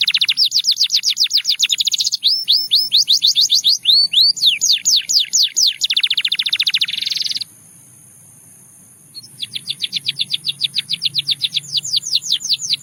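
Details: Russian singing canary song meant to seduce other canaries: long runs of rapid, high, downward-sweeping trilled notes and dense buzzy rolls, a brief silent pause after seven seconds, then fresh quick trills.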